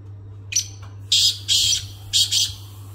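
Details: Black francolin call: a brief thin opening note followed by three loud, harsh, grating bursts of rising intensity, all high-pitched, with a steady low electrical hum underneath.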